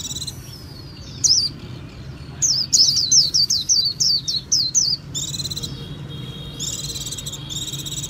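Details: Japanese white-eye singing: after a faint start, a run of quick, high, downslurred whistled notes, then sustained buzzy, chattering trills near the end.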